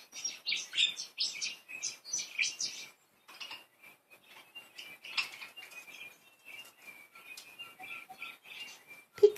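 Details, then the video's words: Playful budgies warbling: quick rhythmic chirps and scratchy notes in the first seconds, followed by a softer, steady stream of thin whistled twitters and a sudden click at the end. "Happy cute budgies, playful budgies"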